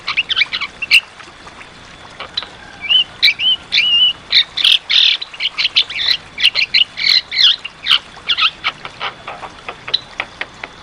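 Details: Energetic Javan myna song from a recording meant to restart singing in birds that have gone quiet: a long run of rapid harsh squawks and chatters mixed with short looping whistles, about three notes a second.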